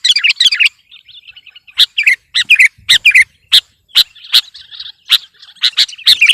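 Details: Sooty-headed bulbul in gacor song to pressure an opponent: an opening burst of chirps, then spaced sharp whistled notes about every half second over soft twittering.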